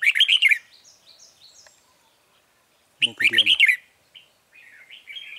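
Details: Red-whiskered bulbul singing at a trapping site for wild birds, recorded 9 March 2020: two quick, slurred warbling bursts three seconds apart, followed by softer chirps, with a low voice briefly overlapping.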